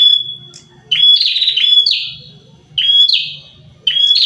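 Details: Prinia pair in lively song: a thin sustained whistle leads into harsh, loud downslurred chirps, delivered in short bursts about a second apart with gaps between.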